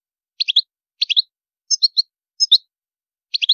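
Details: European goldfinch in high-pitched song: neat repeated phrases of three quick, bright, liquid chirps. A new phrase arrives about every half second to second, giving a steady, lively rhythm against silence.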